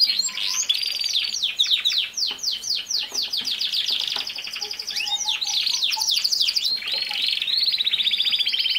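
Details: Canary singing for training a young male canary: quick strings of descending chirps, about four per second, mixed with rattling trills and a few soft low whistled notes.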